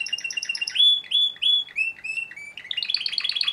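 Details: Timbrado canary male from a breeder's stock singing: rapid repeated notes, then several sustained whistled tones, then a fast repeated trill, in a continuous, loud, clean phrase with no other sounds.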